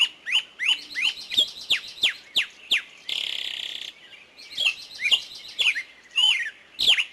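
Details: Forest birds giving a rhythmic run of sharp down-slurred chirps, about two per second, broken by a second of harsh buzzing, then the chirping resumes.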